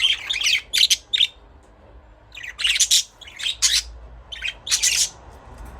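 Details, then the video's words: Budgerigars chirping in quick clusters of bright, buzzy notes, bursts of scratchy high twitters separated by short pauses, with a quiet background hum. "Budgies parrot chirping sound"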